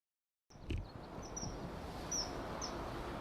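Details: Common kingfisher living on a river through a residential area, a tributary of the Tama River in Tokyo, Japan, 17 February 2018; a few short, thin, high whistled notes scattered over steady background noise, after a soft knock.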